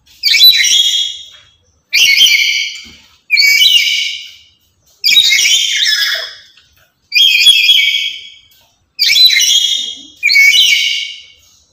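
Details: Very talkative and loud lory, kept to lure and teach other lories, repeating harsh strident screeches in a fast series, seven calls in about twelve seconds with irregular spacing.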